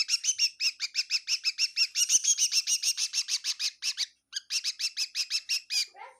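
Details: Chirping bird inside a kitchen in Tseminyu, Kohima: a fast steady series of bright chirps, roughly three each second, with one brief break near the end.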